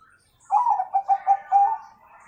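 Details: Zebra dove of the Bangkok type, singing with a 'kung' tone, used as a master recording to help young birds sing sooner. A drawn-out opening coo runs into four short, hollow, rhythmic cooing notes, then fades in a quiet room.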